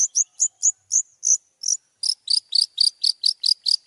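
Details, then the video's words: Long-tailed shrike song from a master recording for contest training: a series of sharp, high, slurred chip notes, first spaced then quickening into a steady run of about four per second. "masteran cendet juara"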